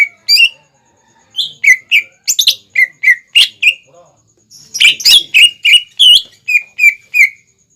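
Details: Greater green leafbird song used as a lure for young birds to imitate: loud, sharp chirped notes and quick downslurred whistles, a burst then a pause, then a dense rapid series, clean background.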